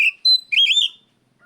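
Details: Oriental magpie-robin calling out a rival: a brief whistled note, then a long pure high whistle and a loud warbled, slurred phrase, ending in silence.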